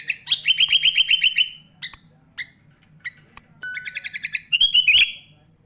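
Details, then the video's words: Kutilang (sooty-headed bulbul) master song rich in mimicked 'isian' notes, for tutoring young bulbuls: a rapid even trill of about ten notes, a few isolated chips, then another quick trill and a slurred whistle; steady low hum. "Suara Burung Kutilang Gacor Full ISIAN MEWAH"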